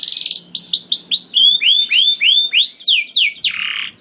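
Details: Canary in full, vigorous song, played to prompt other canaries to sing: a fast buzzy trill, then a run of quick repeated downward-sweeping whistles, ending in a harsh drawn-out note.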